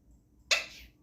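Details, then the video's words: A pet Alexandrine parakeet, a talking parrot, sneezes once: a sudden, sharp, breathy hissing burst lasting under half a second in an otherwise quiet room. "Talking parrot sneezing"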